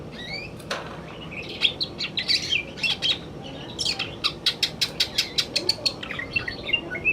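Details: Afternoon song of a male greater green leafbird: varied whistled notes, then a fast run of sharp, clicking chips repeated several times a second, all high-pitched over faint background noise.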